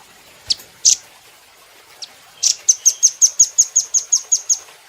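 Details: Velvet-fronted nuthatch, recorded for training cage birds, gives two or three scattered sharp notes, then launches into a fast, steady string of about twelve thin, high, clipped chit calls.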